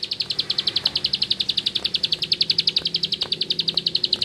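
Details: Bar-winged prinia of rice fields in full ngebren song: unbroken, evenly paced high chirps, about four per second, with a faint low hum underneath.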